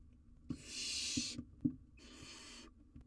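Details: Wild barn owl chick seen on a live cam with a massive jird, producing two drawn-out harsh hissing screeches close together, separated by soft taps and scraping sounds.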